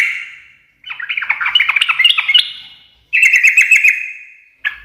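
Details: Yellow-vented bulbul in energetic ngekek chatter: a jumble of quick bubbly notes, a pause, then a tighter run of rapid repeated notes, and a short final note.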